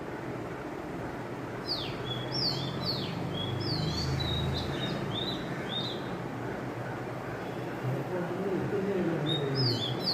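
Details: Oriental magpie-robin, a mother bird singing on a wire tied to a coconut tree; a run of sweet whistled notes, some falling and some rising, in a quick phrase that pauses and returns near the end, with a faint low voice.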